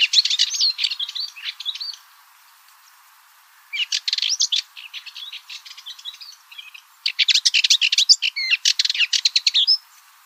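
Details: Cyprus Warbler song: three bursts of scratchy, rattling chatter high in pitch, the first about two seconds long, a shorter one near four seconds, and a dense final burst from seven to ten seconds.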